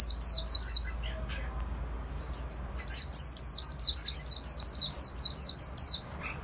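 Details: Japanese white-eye song, kept by Vietnamese bird hobbyists in the khuyên líu singing style: a fast chain of high, sharp, down-slurred twittering notes, a short run, a pause, then a long rapid string of repeated chirps.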